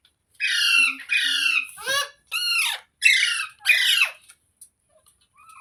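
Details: Green parrot indoors letting out a run of six loud, raspy squawks, each about half a second long and evenly spaced, some sliding downward, with a faint squeak at the end.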